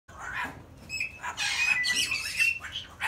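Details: A pet cockatoo "tells a story": harsh, scratchy, speech-like chatter with a few brief whistled tones, ending in a burst of mimicked laughter, as if he thinks it funny.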